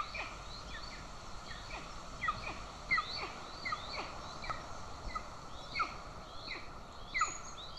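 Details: Golden eagle at a nest in Estonia on 20 June 2024, the father present with prey while the mother feeds an aggressive chick; short, high, downward-slurred chirps repeat about every half second, with fainter higher notes above and a steady background hiss.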